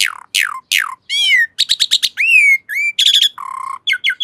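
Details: ['Asian pied starling singing a lively mix of falling whistles, harsh harmonic squawks, rapid repeated chips and slurred whistles, each phrase changing quickly to the next.']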